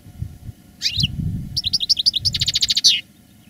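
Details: Veteran caged master goldfinch, a reclamo-style singer recorded live in 2017, strengthening its song after the moult: bright liquid twitters and a quick run of high tinkling repeated notes, over low background rumble.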